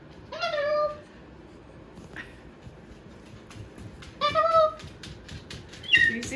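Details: Captive Moluccan cockatoo at home, busy with a new box, utters short, clear, mewing tonal calls, one near the start and another about four seconds later, with a faint high note at the end and quiet room noise between.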